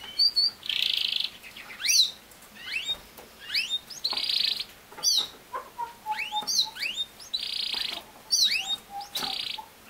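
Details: Canary song, played so that a young male from a second clutch, just separated from his family, will copy it and start singing. Bright, high fast buzzy trills recur every few seconds, mixed with quick rising whistled sweeps and lower piping notes.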